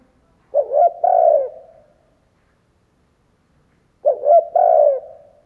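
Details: Decoy spotted dove cooing to provoke other doves into calling: two low phrases about three and a half seconds apart, each with quick stuttered notes and then a long, falling, throaty coo, in otherwise quiet surroundings.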